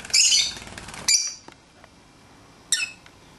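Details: Lovebirds at play outside the cage give a long harsh screech, then a sharp second squawk straight after, and a third short shrill call about a second and a half later.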